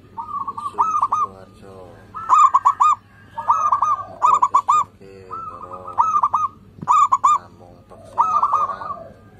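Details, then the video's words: Actively singing local zebra doves meant to coax quiet birds into song: dense, overlapping runs of fast rolling coos about every second, with softer lower cooing filling the gaps. "PERKUTUT LOKAL GACOR, pancingan kutut susah bunyi"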